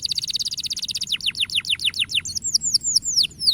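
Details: Canary song for encouraging young canaries to sing: a fast, even trill of bright high notes flows into a chain of loud, steeply falling slurred notes, delivered rapidly.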